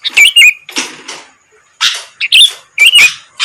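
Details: Sooty-headed bulbul singing to bait rivals into responding: uneven harsh chatter mixed with bright, warbling whistled twists, several short pauses between phrases.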